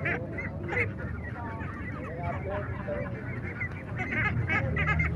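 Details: Ducklings and ducks quacking, described locally as kwek kwek or wek wek; many overlapping nasal calls and higher peeps repeated rapidly over a low constant rumble of background noise.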